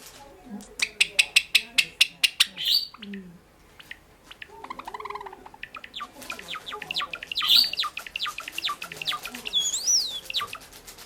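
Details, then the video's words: Caged pet sakura Java sparrow song opening with a fast train of clicking notes, then bubbling chirps and warbled trills, closing with a clear rising-and-falling whistled flourish. "さえずり文鳥動画 Java sparrow chirping"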